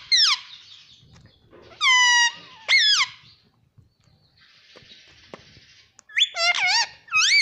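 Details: Talking green ringneck parakeet indoors: a falling squeal, then a long, level, strongly harmonic call and a sharp descending note, a pause with soft hiss, then a quick burst of bending, chattering syllables.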